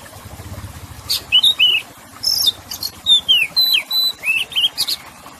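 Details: Oriental magpie-robin song mixing harsh buzzy notes with sweet whistled slurs, delivered in a rapid varied run of about a dozen notes, over a low background murmur.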